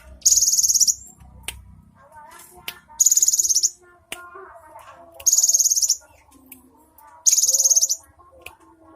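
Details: Cinereous tit recorded on 3 April 2023, repeating high-pitched rapid buzzy trills, each about half a second long, four times at roughly two-second intervals, with faint lower twittering and clicks between bursts.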